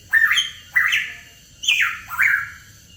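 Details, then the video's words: Hooded pitohui song for luring songbirds: four strong notes, each starting abruptly and gliding in pitch, a blend of rasp and whistle, spaced at about half-second intervals. "PANCINGAN PITOHUI KEPALA HITAM"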